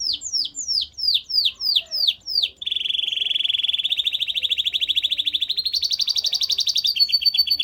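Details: Canary song of slow repeated descending whistles followed by a long, fast trill that climbs in steps to a higher pitch.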